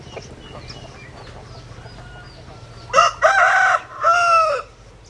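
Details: Quiet background at first, then a rooster bursts into a loud crow in the last two seconds. It is split into a short note followed by two longer, strained syllables.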